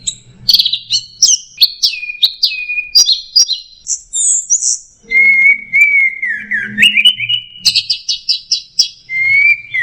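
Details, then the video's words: Orange-headed thrush singing in the teler style, a rich, continuous run of varied whistles, chirps and quick trills sliding between high and mid pitches, ending in long drawn-out whistled notes. "Suara Burung Anis Merah Teler"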